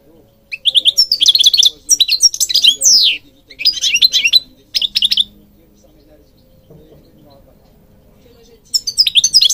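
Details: European goldfinch song for training birds: bursts of fast, liquid twittering and buzzy chirps, high-pitched and tumbling, in three busy phrases over the first five seconds, a pause, then a fresh twittering burst at the end; a faint low hum underneath.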